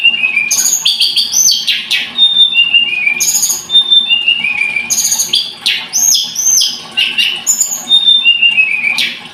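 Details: Scarlet-headed flowerpecker singing continuously: clusters of piercing high notes, short trilled series and descending whistles alternate with brief buzzy rattles.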